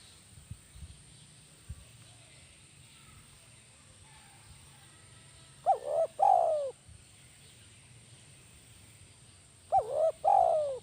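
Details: Spotted dove (tekukur), a lure bird with a kuk 1 style call, gives two phrases about four seconds apart, each a quick double hooked note and then a drawn-out descending coo, over a faint low hum.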